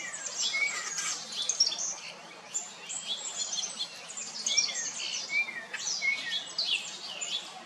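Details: Painted Buntings on Jekyll Island, Georgia, USA, in June 2022 give a steady stream of thin, high chips and sweet twittering notes with a few short whistled slurs. Other birds may be calling in the background.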